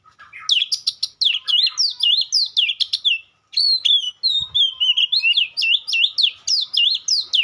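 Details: Nearly continuous White-rumped shama song, dense strings of quick high whistled notes with clipped upstrokes, one brief break near the middle, then a flowing sequence of bouncing whistles to the end.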